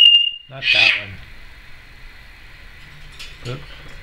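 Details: Timneh African grey parrot, a female kept as a pet in 2012: a clear, steady high whistle, then a brief nasal, voice-like squawk, and a short soft call near the end over quiet room hum.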